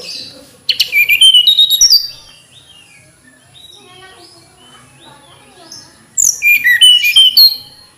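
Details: A tledekan gunung flycatcher gives two bursts of quick, piercing chirps with downslurred whistles, with soft twittering between them.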